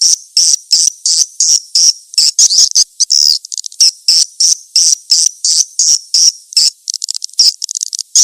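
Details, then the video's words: Edible-nest swiftlet calls played to attract swiftlets: very high, rapid twittering chirp bursts repeated about three times a second in a steady pulsing run, with brief silent gaps between bursts. "suara panggil burung walet"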